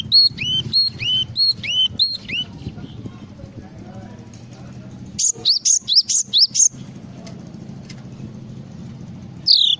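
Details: Java sparrow, full isian song: repeated paired chirps in two pitch layers, a quiet spell, then a run of six high falling whistled notes and one final loud note over a low hum.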